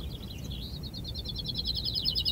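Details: A common chaffinch (Fringilla coelebs) in a finch-singing contest at Ardooie, Belgium, sings one brisk, high phrase of quick repeated notes that speed up and end in a sharp flourish, over a low background rumble.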